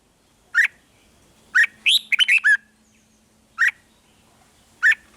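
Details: Caged red-whiskered bulbul from Thailand, its song used to stir other caged birds: single sharp chirps spaced about a second apart around one quick cluster of slurred warbling notes.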